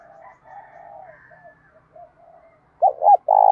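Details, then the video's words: Spotted dove calling in the thổ voice style during fighting and calling bouts. Softer, wavering low notes come first, then a loud coo phrase of two short hoots and a sustained mellow note at the end. "cu gáy giọng thổ Thúc Đấu + Gáy Gọi + Giọng hạp bổi + giọng to rõ"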